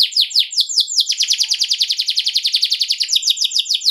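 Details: Atlantic canary singing in ngerol style to provoke other canaries into answering: rapid repeated down-slurred notes run into a dense rolling trill, then slower chopped phrases, loud and high-pitched throughout.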